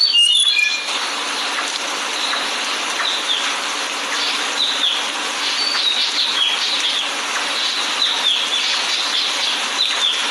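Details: A Superb Lyrebird, a ground-dwelling bird, singing in Australian bushland for a Dawn Chorus broadcast: a rapid, varied run of clear whistles, chips and chattering phrases, several notes a second, over a steady hiss of bush sound.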